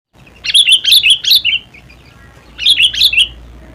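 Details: Sooty-headed bulbul song: two bursts of four or five bright, bubbly chirped notes around a steady mid-high pitch, each phrase about a second long with a short pause between.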